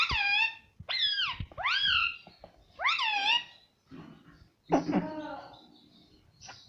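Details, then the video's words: Talking parrot kept indoors, uttering a string of clear harmonic calls: four rising-and-falling whistled syllables in the first three and a half seconds, then a lower, rougher voiced sound and faint later notes, with a person's voice nearby. "parrot talking everything"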